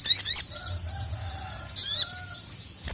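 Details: Energetic sogon calling a male, used as a tutor for sluggish birds; short high chattering bursts at start and middle, linked by a faint sustained high whistle, ending with a brief sharp chip.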